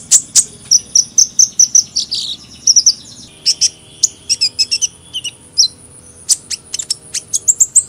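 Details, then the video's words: Sunbird twittering: a level run of about seven quick high notes, a buzzy slur, then irregular sharp chips and brief whistled phrases. "Kicauan Burung Kolibri"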